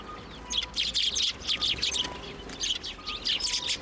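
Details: Sparrows hopping onto a hand to be fed at a Tenmangu shrine on 1 January 2024, giving a busy stream of short, high chirps in overlapping bursts, several birds calling at once with little pause.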